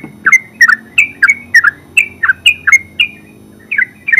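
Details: Yellow-vented bulbul, locally terucuk, in ngeropel song: paired bright chirps repeated about three times a second, clean and sharp, with a short pause near the end.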